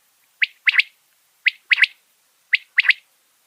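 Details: Winter quail-catching sound of the common quail: three crisp, high phrases about a second apart, each one clipped note followed by a rapid double note, in quiet surroundings.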